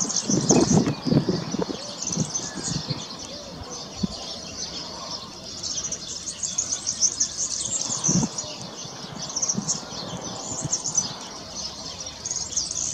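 A European serin sings a high, fast, jingling trill that runs almost without pause, with a few low thumps and rustles near the start and middle.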